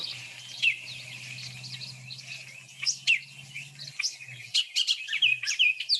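Bullock's Oriole song: a busy run of high whistles and chattering chirps, quickening toward the end, over a low steady hum in the first four seconds.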